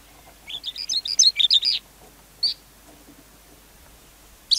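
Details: Lark delivering a quick burst of high, bright chirping notes for about a second, then two isolated sharp notes after short pauses.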